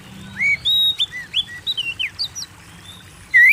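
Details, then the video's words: Oriental magpie-robin singing briskly, a recording for prompting kept birds to sing: a string of short whistled slurs, some rising, some falling, in quick succession, then a pause and a final loud upswept whistle. "Pancing Burung Kacer Gacor"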